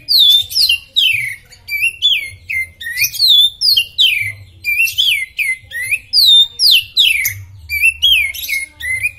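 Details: Oriental magpie-robin (kacer), described as superfit, pouring out a continuous masteran song of loud, varied whistles, each phrase a quick falling slur mixed with high chips, repeated steadily throughout.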